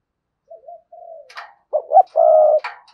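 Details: Caged spotted dove kept as a decoy bird, giving 'sa gù' and 'thúc bổi' coo styles meant to make other doves call: soft low coos, a short pause, then louder, longer hollow coo notes ending with a brief rougher burst.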